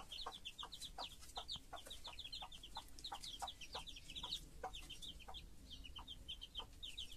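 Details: A mother hen with her chicks. The peeps are thin and high, each dropping in pitch, and pour out almost continuously. Brief, low clucks punctuate them roughly three times a second.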